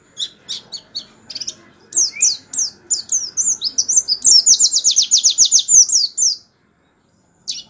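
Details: Canary song played as a tutor to train white-eyes. Opens with a few sharp high chips, then whistled upslurred notes, then a long, fast, evenly repeated trill of about a dozen bright notes. A faint low rumble sits underneath.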